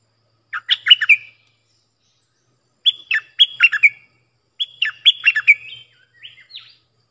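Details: Song of a bulbul called dok taeng, meant for training young birds and luring fierce wild birds: three separate phrases of quick mellow notes, the last trailing off into thin, rising squeaks.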